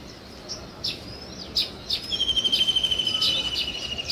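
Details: Weaver birds busy with nest building; scattered faint chirps lead into a fast, even series of high ticking notes that slowly sinks in pitch, with other birds faintly behind.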